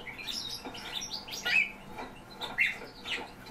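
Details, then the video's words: Song thrushes kept as the owner's own birds, giving short, sharp chirps and brief high notes, two clearer calls about a second apart, over a faint steady indoor hum. "ПЕВЧИЕ ДРОЗДЫ"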